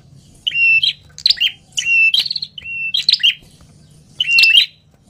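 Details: Ashy tailorbird, a wild bird, in noisy 'tenes ribut' calling. Four or five phrases of a sharp, thin whistle run into rasping chatter, about one each second and irregularly spaced, over a soft low hum.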